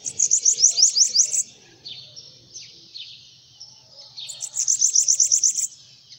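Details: A bananaquit on a hand opens with a quick, bright run of high squeaky notes. Scattered thin, hissing sounds follow, then another fast high phrase about four seconds later, over a faint low hum.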